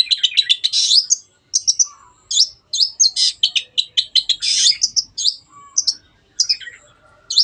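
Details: Long-tailed shrike singing hard, used as a lure to make stalled birds sing: rapid chattering phrases of high, scratchy notes and short whistles, broken by brief pauses.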